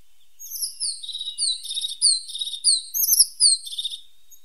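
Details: A tit, called a pointed or sharp-nosed tit, sings a high rapid phrase of downward-slurred thin whistles mixed with short buzzy trills, about three notes per second, with a clean quiet background.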